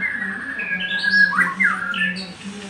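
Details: Magpie-robin in vigorous song: sustained whistled notes sliding up and down, with brief rasping accents and a low background hum.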